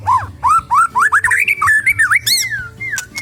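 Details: Captive White-rumped Shama exercised in a flight aviary: varied loud whistled phrases, arching and rising notes delivered in quick succession, ending with a sliding whistle, over a low background hum.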